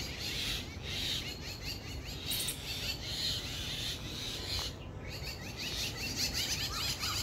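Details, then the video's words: A family of mynas in a garden in India chirps in short, sharp notes that overlap into a busy chatter, over a steady low rumble of background noise. "Myna Bird birds chirping"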